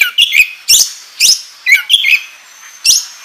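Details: Oriental magpie-robin lure song made of short, sweet whistled chirps in small clusters separated by brief pauses, with one thin sustained high note near the end.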